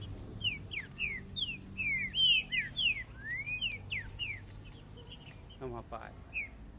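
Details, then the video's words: Male green-winged saltators (Saltator similis) in a singing contest, 2021: clear whistled slurred notes, rising and falling, tumbling out in quick overlapping succession, with a short burst of noise near the end. "É MUITO CANTO! QUE DISPUTA TOP DE TRINCA FERRO!"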